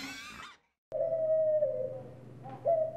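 A pigeon gives a long, soft, hooting coo that holds one low pitch and then lifts near the end. A spoken word and a faint low hum come before it.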